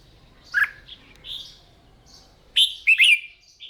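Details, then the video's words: Red-whiskered bulbul at morning singing practice; a single clipped note followed by a loud, quick phrase of bubbly whistles. "Tiếng Chim Chào Mào Hót , Kích Chim yếu lửa ra giọng , luyện giọng chào mào mỗi sáng"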